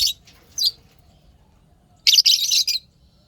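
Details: Pet lovebirds chirping happily: two short shrill chirps early, then a dense burst of harsh, rapid high-pitched chatter lasting under a second.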